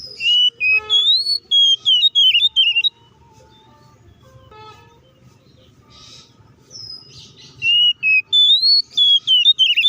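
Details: Aggressive song of an Oriental magpie-robin, played to make other magpie-robins quickly agitated: rapid clear whistled phrases with trilled twists, a long pause with traffic-like rumble, then the loud whistling resumes.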